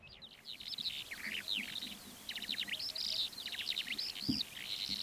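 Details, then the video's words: Calandra lark singing in flight over the Manych steppe in April: a fast, continuous stream of high, scratchy twittering and chirping notes with short buzzy trills, broken by a brief pause, recorded at a distance over faint wind noise. "Стал пытаться записывать голос Джурбая в полете. И вот что из этого вышло."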